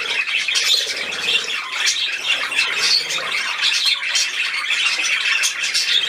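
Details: Pet budgerigars playing, 13 December 2019: six seconds of continuous, busy warbling and harsh squawks layered over one another, and a faint room background.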